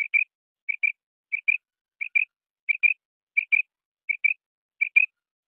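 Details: Quail, a male and three kinds of female calls: steady doubled whistled notes, each pair about two-thirds of a second apart, with nothing else heard.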